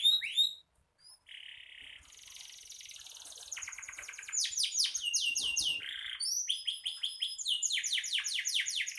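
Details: Canary singing energetically, for tutoring songbirds: a few sharp notes and a short buzz after a pause, then a long high buzzing roll leading into loud rapid downward-sweeping trills and rising whistles.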